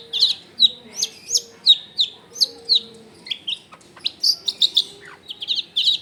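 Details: Long-tailed shrike in full, varied song near houses in a densely populated area: bright, high chirped notes repeated roughly once a second in a steady run, some doubled or slurred, with a faint low background tone.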